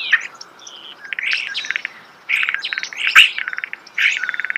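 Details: Close, natural recording of a starling's song: choppy phrases of rattling clicks and metallic chirps, with a few thin whistles, arriving in three or four bursts separated by short quiet gaps.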